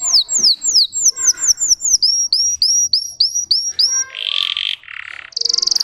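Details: Russian canary bred for singing, delivering a series of clear downslurred whistles, about three per second, that shift to hooked upsweeping notes, then a harsh buzzy burst and a final fast trill.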